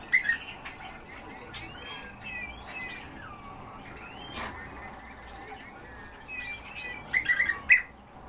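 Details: European bee-eater (Merops apiaster), flock calls.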